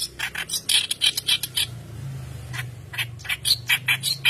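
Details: White-browed kerak basi (reed warbler), a persistent singer used as a training lure: harsh scratchy chattering phrases broken by a short pause, over a faint low hum.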